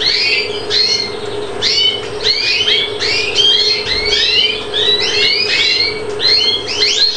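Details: Song of a captive-bred European greenfinch, Chios, Greece, 2013: rapid twittering phrases of ringing, arched chirps, often in tight clusters of three or four, running continuously with a constant low hum beneath.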